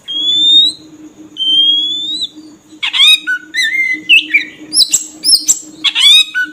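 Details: Kacer lure song to attract birds, from an oriental magpie-robin: two long clear rising whistles, then a quick jumble of chirps, slurred whistles and sharp notes, with a faint constant hum.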